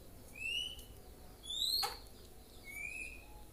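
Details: Young white-rumped shama practising its song, three separate rising whistles spaced over a few seconds, with one brief click-like sound in between.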